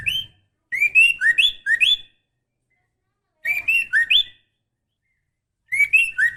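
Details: Breeding female white-rumped shama calls to a male with quick whistled phrases of four or five slurred notes, each rising or dipping. The phrase repeats three times, about two and a half seconds apart.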